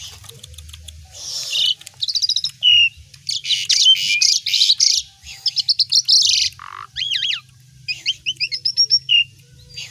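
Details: Busy, lively song of an Asian pied starling full of mimicry of other songbirds: rapid rattling trains, buzzy bursts, a low note and looping whistles, with a faint steady hum underneath.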